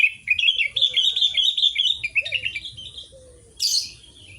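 A sooty-headed bulbul sings a fast, chattering run of bright, bubbly notes, dropping in pitch toward the end, then one harsh rasp.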